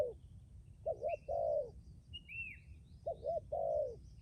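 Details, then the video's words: Decoy spotted dove cooing twice, each phrase a rippling double coo leading into a longer sustained coo, with a high sliding whistle and faint twitter from other birds. "Chia sẻ cu gáy mồi cứng gù hậu bền"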